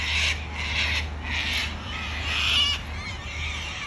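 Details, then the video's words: Wild cockatoos in Australia giving harsh, raspy screeches, four broad bursts about half a second apart, with a steady low hum underneath. "Australian wild bird COCKATOO sounds"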